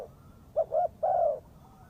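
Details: Spotted dove calling, used as a lure for trapping birds: three short, low, hollow coos, the last one longest and slightly falling, against a quiet rural background.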